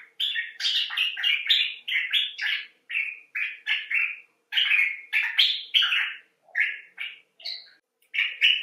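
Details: Common bulbul (Pycnonotus barbatus) chattering in a fast run of short, slightly harsh chirps, about three notes a second, with brief pauses between bursts; no other sounds.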